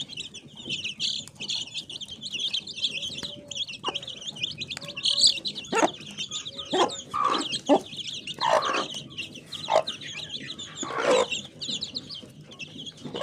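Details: Several mini chickens cluck at scattered moments, sparse at first and then busier in the second half with quick, uneven clucks, while constant high-pitched chirping from other birds runs underneath.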